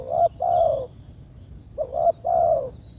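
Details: Two full coo phrases from a spotted dove calling its companions, each a quick kinked note followed by a long, smooth, slightly descending coo, about one and a half seconds apart.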